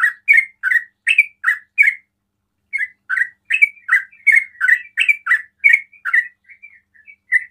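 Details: Sooty-headed bulbul in 'ropel' song, a performance said to stir other bulbuls to call; punchy, evenly spaced chirps, a brief gap, then a quicker bubbling series ending in faint trailing notes.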